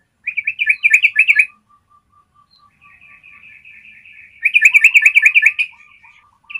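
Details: Yellow-vented bulbul in a long, clear trilling song used as a training recording to make captive birds trill. Two bursts of fast bubbly chattering notes bracket a thin, steady, high trill. Quieter low notes run beneath.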